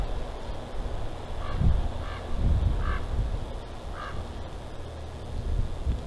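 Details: Bald eagles at their nest in Big Bear Valley, seen on a live nest cam on 8 February 2023 just before midnight; four short, spaced piping notes with upper harmonics over a steady low rumble and wind noise.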